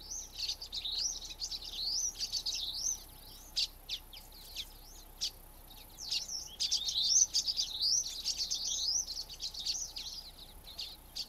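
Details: Flocking common waxbills calling and singing: repeated high undulating buzzy phrases mixed with quick sharp tweets, busy and overlapping through the recording, with low steady background hiss.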